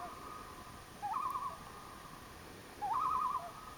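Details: Common loon calling at a camp spot in Elliot Lake, Ontario, July 27, 2015: two rapid, wobbling, quavering calls, each rising briefly then trembling at a steady pitch for about half a second, with quiet hiss in between.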